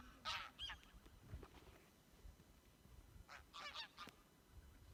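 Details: Geese in a flock on Værøy, Norway: a few honks near the start, then a quieter stretch, then another short cluster of nasal calls, with low background rumble throughout.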